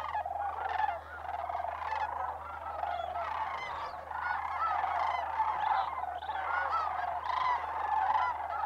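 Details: December migration at Bosque del Apache Wildlife Refuge, New Mexico: a crowd of sandhill cranes gives rolling, bugled calls that overlap constantly, with louder individual notes poking through now and then.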